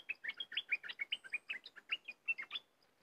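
Cream-vented Bulbul giving a quick, lively run of about fifteen bubbly, chirping notes over under three seconds, ending in softer, fading notes.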